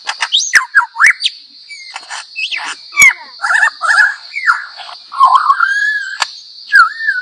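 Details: Superb lyrebird of Australian forests singing a mimicking song to attract females: a rapid jumble of varied whistles, sweeps and buzzy notes, some rising and falling, over a steady high hiss.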